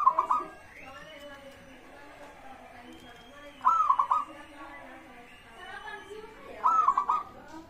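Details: Local zebra dove song, meant to prompt other birds to sing. Three short, rolling cooing phrases are spaced about three seconds apart over a noisy background.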